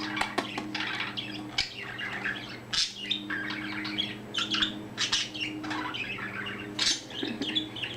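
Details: Young pet budgerigar that has recently found its voice, chatting nonstop while bobbing its head: continuous soft warbling, clicks and scratchy chirps with occasional sharper squeaks over a steady low electrical hum indoors.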